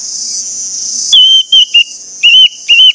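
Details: Orange-headed thrush singing as a lure to trigger song from other orange-headed thrushes: piercing whistled notes in short bursts with brief gaps, over a steady high insect-like buzz.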